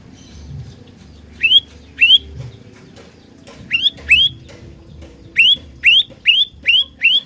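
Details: Olive-backed tailorbird lure song, delivered irregularly: pairs of bright rising notes separated by pauses, then a closing run of five quick chirps, with faint low-frequency noise.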